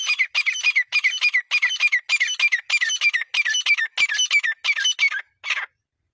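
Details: Partridge (teetar) in a two-bird fight gives a fast, rasping chain of doubled notes, about three a second, that ends with one last call after a short gap.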